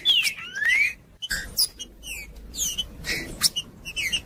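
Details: Green-winged saltator singing to stimulate other birds: two drawn-out whistled slurs open the phrase, then a pause and a string of short, bright whistled notes and chips at an uneven pace.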